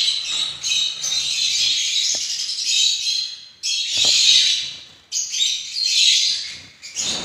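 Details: Breeding Gouldian finches kept as pets keep up a dense, high-pitched chatter of thin chirps and squeaks in three long bursts, with short pauses between them.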